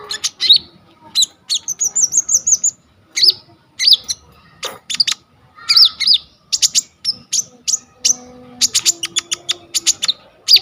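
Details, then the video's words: Energetic olive-backed sunbird song, the kolibri ninja in full form, used as a tutor recording for training songbirds and shot on a vivo Y21: shrill chips, quick trills and a wavering high warble, with a faint low hum. "KONIN GEACOR FULL ISIAN 99% COCOK BUAT MASTERAN KOLIBRI NINJA TROTOL/IJOAN"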